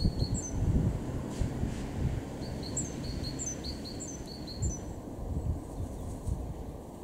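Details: Great tit, garden bird in Weener, East Frisia, northwest Germany, March 2023, giving scattered high two-note phrases spaced out over several seconds against loud low-pitched background rumble.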